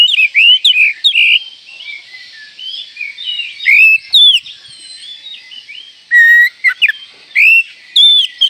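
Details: Oriental magpie-robin call said to rouse other magpie-robins in seconds: loud clipped whistles and upslurs in bursts, quieter warbling between, and several sharp high downslurred notes in groups.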